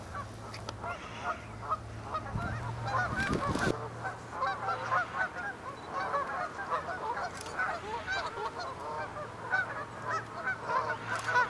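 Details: Large flock of Canada geese stopping at a pond while migrating back north to nesting grounds, with ducks present; many overlapping nasal honks in a dense continuous chorus, a low steady hum underneath and a brief loud rumble near the start.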